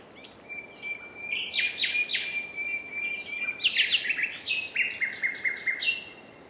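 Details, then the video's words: Common nightingale delivering a rich song: a drawn-out whistle, then loud clicking and chattering notes and repeated rapid trills over steady background hiss. "NIGHTINGALE sounds"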